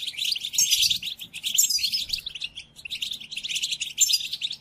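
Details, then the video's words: Song-training recording of European goldfinch for caged birds during moult: fast, bright twittering phrases of sharp chips and liquid trills, with short dips in loudness between bursts. "قدم هذه الآصوات لطائرك الحسون وشاهد ماذا يفعل Chardonneret"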